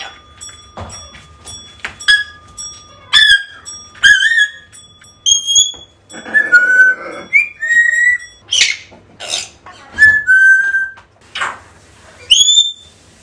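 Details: African grey parrot calls for getting a lost bird back: a busy sequence of clicks, rising whistles, lower warbled notes and buzzy squawks over about thirteen seconds, with a steady tone early on.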